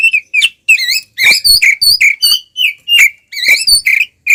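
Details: Kacer, the oriental magpie-robin, in aggressive fighting song: a nonstop chain of varied whistles, some rising, some dropping, some warbled, delivered quickly with only brief gaps.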